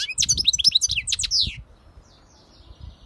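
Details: European goldfinch song, a rapid burst of high, tinkling twitters and short buzzy trills lasting about a second and a half before falling quiet, over soft low background noise.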